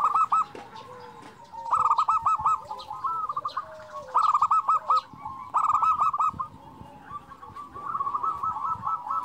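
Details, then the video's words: Local Indonesian zebra doves, perkutut lokal, in lively song used to rouse quiet birds. Bursts of rapid staccato cooing notes recur every one to two seconds, several birds overlapping, with softer drawn-out lower coos between bursts. "perkutut lokal gacor"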